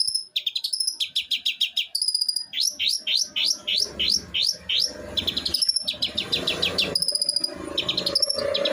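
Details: Long-tailed shrike, eight months old, from Jember in East Java, delivering an unbroken mimicry song: quick repeated high chirps, buzzy rising notes and rattling trills in fast succession.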